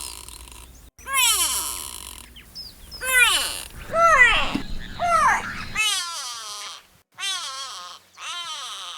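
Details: Grey Go-away-bird, found in dry wooded regions, gives loud, nasal, downward-sliding wails about one a second, harsh and bleating, used when threatened or alerting the group. It carries dozens of metres for territory defence, danger warning or social contact. Faint music underneath.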